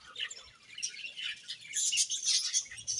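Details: A happy budgerigar colony: short burst of many birds chirping at once, shrill twittering notes growing louder and denser toward the end.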